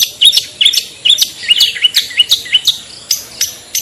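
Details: Lure sound of the long-tailed shrike, known locally as cendet or pentet; quick, sharp, upturned chirps repeated rapidly and a little irregularly, with faint clicks between them.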